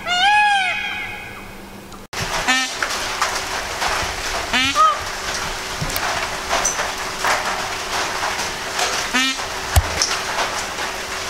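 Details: An Indian peafowl from a wild, non-native group in Tasmania opens with a loud, nasal, wailing call, then gives two shorter honking calls about four seconds apart over a steady hum and background noise.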